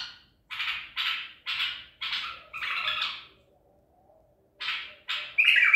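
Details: Baghdadi-style song of a White-eared bulbul trapped at Medical City, April 2021: a run of five short, rough chattering bursts roughly every half second, a pause, then more bursts ending in a brighter whistled note.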